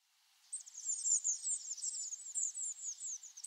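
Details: Eurasian blue tit (Cyanistes caeruleus) flock on autumn migration: a continuous stream of very high, thin, overlapping twittering calls, busy and unbroken for several seconds.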